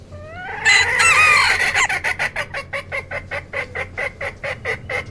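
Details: Chicken flock: a loud squawking outburst with rising harmonic cries, then a steady run of short clucks repeated about three times a second.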